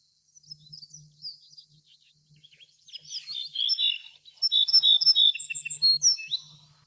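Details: Little bunting (Emberiza pusilla) with scattered faint high notes, then a jumbled chirping phrase and a loud run of rapid ringing repeated notes, over a low steady hum.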